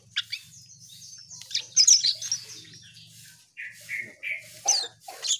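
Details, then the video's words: Gacor Asian pied starling giving shrill squeaky phrases and short whistled notes, pausing briefly midway before more rising chirps, low hum in the background. "Burung cucak Keling Gacor"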